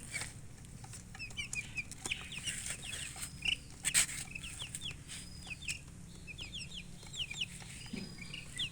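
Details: Several chickens chirping near a hen (murgi), among coloured chickens: a busy flock of thin, high peeps. Each is a quick upward or downward slide, overlapping irregularly. Occasional sharp knocks and rustling plus a steady low hum run through the clip.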